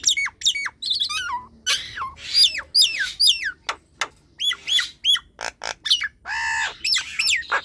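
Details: Nias hill myna singing as a lure for slow, reluctant birds at home: energetic mix of sharp dropping whistles, screechy squawks and short clicks in quick irregular bursts, with a longer nasal squawk toward the end.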